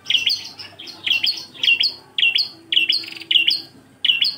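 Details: Bar-winged prinia giving klawu engkel song for cage-bird tutoring: rapid strings of clear high chirps, each topped by a thinner rising-falling whistle, repeated in slightly uneven rhythm with brief gaps.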